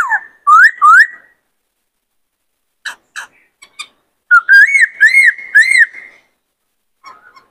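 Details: Caged White-cheeked laughingthrush male, provoked to sing by a newly caught bird, pours out looping whistles, a few scattered chips, then a chain of rising and falling whistled notes.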